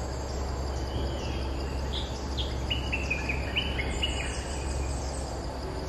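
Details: Streak-eared bulbul, a territory holder answering lure calls, gives a string of short, clipped chirps in the middle of the recording. A strong low rumble and constant hiss partly mask the calls.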